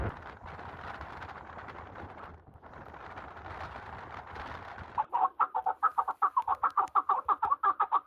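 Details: Partridges in the mountains: about five seconds of dense rushing noise, then a fast series of loud, harsh chuck notes repeated roughly four times a second until the end.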